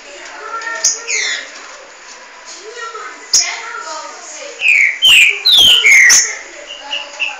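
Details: Two green-winged saltators (trinca-ferro) set against each other: soft warbled notes, then a run of loud, clear, sliding whistled phrases near the end, delivered in quick succession.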